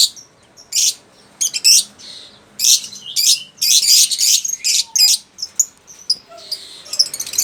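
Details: Lovebird giving loud, harsh high chirps and squeaky chatter in bursts, with short rapid runs of notes and brief pauses throughout.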